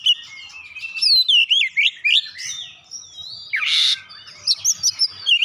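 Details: Oriental magpie-robin singing with mimicked gelatik batu (cinereous tit) phrases: rapid, loud whistled notes sweeping up and down, quick curling slurs and one harsh buzzy burst near the middle, delivered in dense bursts with brief pauses.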